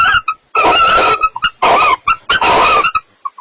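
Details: Pair of barn owls during mating: three long, rasping, hissy screeches, each near half a second, broken by quick clipped chirps and short gaps.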